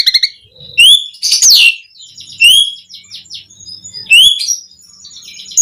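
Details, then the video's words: Pumping, energetic song of a Javan pied starling, meant to draw song from other starlings: loud upslurred whistles every second or two, mixed with harsh buzzy bursts and faint chatter between. "Suara Kicau Jalak Suren Gacor Mompa buat Pancingan OCEHAN semua Burung Jalak Agar Gacor Full Isian"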